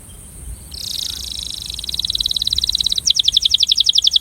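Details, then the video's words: Breeding male canary giving its attraction song, a rapid buzzy trill building in volume and then switching to a louder run of evenly repeated, sharper notes. "Canário Reprodutor - Som de Atração"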